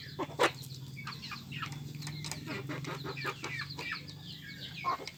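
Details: A crowd of free-range village chickens fighting over food clucks continuously, the short calls rising and falling in quick succession over a low humming background.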